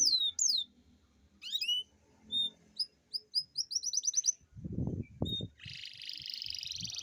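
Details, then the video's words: Atlantic canary rolling song used to prompt lazy canaries to sing: high descending sweeps, short whistled notes, then a quickening trill, a brief burst of low thumping noise, and a final sustained buzzy high roll. "Pancingan kenari gacor ngerol panjang dan pancingan kenari malas bunyi pasti"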